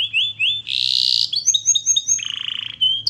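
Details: Canary song for training: rising whistled slurs, a harsh broadband burst, a chain of quick upslurred notes, then a low buzzing roll and a final high note.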